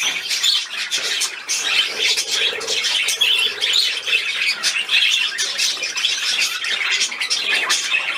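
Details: Budgerigars at play, recorded 13 December 2019: eight seconds of steady, chattering warbles and sharp squeaks that rise and fall in loudness.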